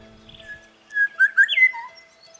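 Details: Grey shrike-thrush in Australian woodland, recorded with a placed microphone, gives a rich, whistled phrase of clear rising and falling notes ending in a sweet slurred whistle; faint woodland background.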